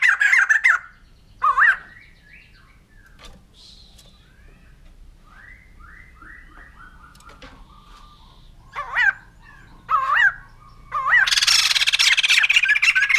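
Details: A white-crested laughingthrush gives spaced, slurred whistled phrases separated by faint, soft fluting notes, then bursts into a loud, harsh, rapid chattering chorus at the end.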